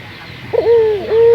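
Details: Local puter dove, called as a lure to get other puter doves singing: a short broken note, then a steady level whistled coo with a dip and a second sustained coo.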